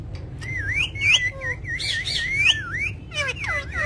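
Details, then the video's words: Parrot said to be talking, with wavering, warbling whistled notes and squawks sliding up and down in a busy, uneven stream, over low background noise. "Parrot Talking"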